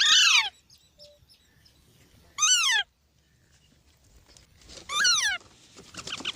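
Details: A green parrot gives repeated harsh, descending squawks about every two and a half seconds. Faint clicks and soft background noise are heard between the calls.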